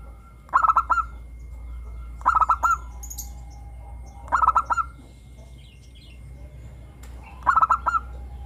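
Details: Singing local zebra dove with a crystal-clear voice, recorded as a lure to coax doves into song. Four evenly spaced stuttering coo phrases roll out, each a brief cluster of pulsed notes, roughly every two seconds.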